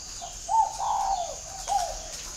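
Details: Three-note cooing phrase from a spotted dove used as a perched decoy, noted for its whistle-like tone, Vietnam: a quiet opening note, a sustained sliding coo dipping at its end, and a short final coo, with light background hiss.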